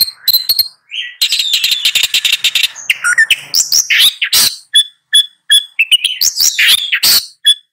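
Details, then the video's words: Long-tailed shrike song, a busy mix of rapid chattering, scratchy rasps and clear whistled notes. It ends in a series of evenly spaced sharp chips with loud harsh bursts between them. "Long-tailed Shrike Bird Song"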